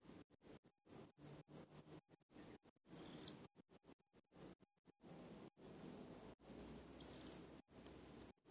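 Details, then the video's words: Blue-crowned hanging parrot, a young decoy bird practising and imitating other birds' sounds, utters two sharp, high-pitched squeaky whistles about four seconds apart amid steady low rustling and tapping. "sekodeng serindit berlatih"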